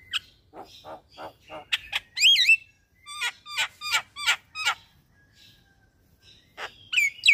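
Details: Javan myna, a caged bird, singing in the morning as a master recording for training other birds: harsh nasal notes, then loud whistled rising-falling phrases and a series of sharp repeated chattering strokes.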